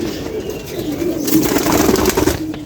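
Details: Low, murmuring coos from a pigeon said to be seven years old, growing louder midway amid rustling and scratching sounds.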